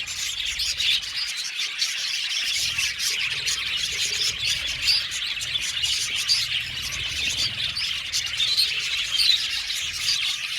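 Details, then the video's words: Seventy-pair budgerigar colony housed in an aviary, heard as a long, steady mass of high chirping and warbling from many birds at once, with brief sharper peeps rising above the crowd. "Beautiful Budgies chirping sound"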